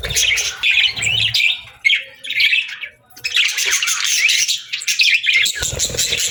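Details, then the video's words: Pet budgies at mealtime chirp and warble in bursts, each a run of quick high twitters, followed by a longer stretch of steady rasping chatter. "Bird Chirping Sounds to Attract Birds | Budgie Birds Feeding Time"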